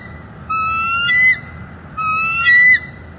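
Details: Pair of wild bald eagles at a Northeast Florida nest with eggs, on alert and protecting the nest, December 18, 2021, live nest camera: two thin, high whistled notes, each slightly rising and held almost a second, the second ending in brief chittering notes.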